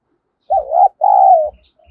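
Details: Spotted dove giving an urgent repeated coo meant to lure wild doves. One low, husky two-part phrase: a short looping note, then a longer drawn-out coo sliding slightly down, with soft low thumps underneath.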